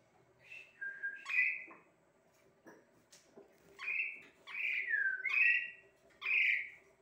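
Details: Asian pied starling giving a series of clear whistled notes, some sliding downward, in short bursts separated by pauses, with a faint steady low hum behind.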